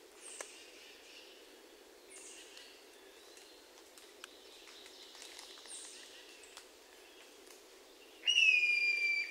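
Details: Hermit thrush (Catharus guttatus) among other birdsong in Sudbury, Massachusetts, on 29 June 2023: faint, high, descending phrases every few seconds, then near the end one loud, pure, held whistle over a soft outdoor hush.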